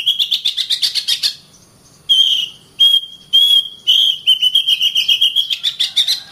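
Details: Singing oriental magpie-robin delivers a rapid run of about a dozen sharp repeated notes, then clear drawn-out whistles separated by brief pauses, ending in a fast chattering series.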